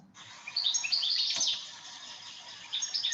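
European goldfinch song: a fast, tinkling run of high twittering and buzzy notes tumbling together without pause.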